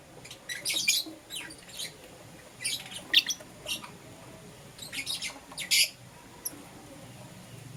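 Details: Morning chirping from pet lovebirds, a green opaline Euwing and a lutino: scattered short, shrill, raspy chirps in small groups about every second, separated by quiet gaps over faint indoor hum.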